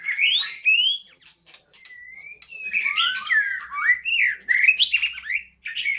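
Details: Song of a white-rumped shama at a breeding facility: loud rich whistles sliding up and down, mixed with harsh chatters and quick high notes in a dense, varied stream.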